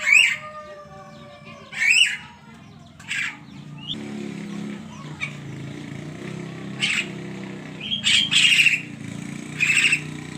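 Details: Javan myna singing in the morning: sharp, clear whistled notes and short fluty phrases spaced a second or two apart, over a steady background rumble of traffic.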